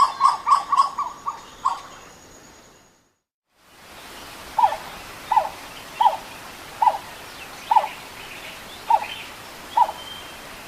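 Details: Western Plantain-eater giving a series of yelps, a call said to accelerate and grow louder and usually given in a wild duet or chorus; short loud yelps repeat quickly, then after a brief gap come spaced single yelps about once a second.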